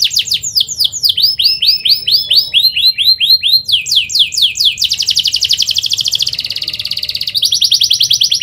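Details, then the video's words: Canary song moving through arching whistled notes, a faster steep phrase, a very rapid tight rattle and a buzzy held trill, then resuming the rattle. "KENARI GACOR SPEED RAPAT EMOSI CUIT CUIT NGEROLL AMPUH UNTUK PANCINGAN KENARI PAUD BELAJAR BUNYI"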